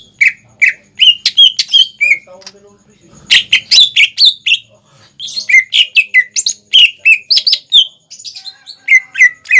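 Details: Spirited greater green leafbird song for young birds to imitate: several bursts of quick whistled and chirped notes sliding downward, separated by short pauses, the later bursts dense and varied.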